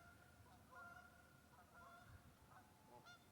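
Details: Geese in a local park in West Virginia honk in a loose, irregular series, about one nasal, mid-pitched honk per second, with others calling farther off over a low rumble of background noise.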